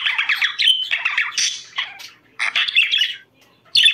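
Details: Budgerigar chatter played to stimulate breeding, with harsh, buzzy squawks and chattering warble in long runs, then a short silence before another burst.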